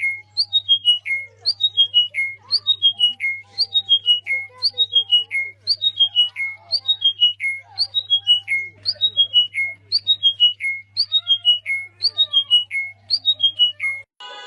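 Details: Songbird repeating a tumbling phrase of four or five clear whistled notes stepping downward, roughly one phrase per second for about fourteen seconds, with a constant low electrical-sounding hum underneath.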